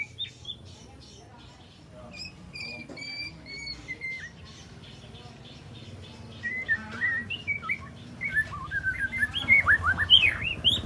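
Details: Juvenile white-rumped shama, three months old, learning mimicked phrases and sharp shots: scattered clear whistles and slurred notes at first, then a livelier, louder run of rising and falling twitters and chips.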